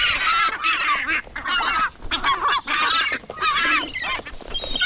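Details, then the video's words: Gulls competing for food give a clamour of harsh, laughing calls in loud bursts about a second long, separated by short lulls, with many birds calling at once. "Hungry gulls pile in for food"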